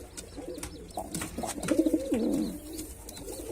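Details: Male white pigeon (Columba livia) gives a low, rolling, throaty coo lasting about a second and a half, rising and then falling, in a small indoor space.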